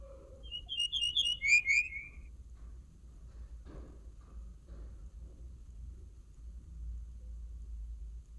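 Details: Common linnet song with a quick sequence of sharp, high twittering notes ending in a dropping whistle. A soft knock and steady low hum are heard afterwards.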